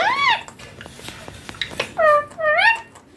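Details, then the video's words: Pet green ringneck parakeet indoors giving three short, speech-like arched syllables, one at the start and two close together near the end, with light clicks between. "My ringneck green parrot taking"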